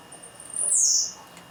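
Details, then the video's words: Blue-black grassquit singing at 11:46 on 7 May on a hot day, singing all day: one very high, buzzy note slurring downward over about half a second, quiet background. "Tiziu cantando"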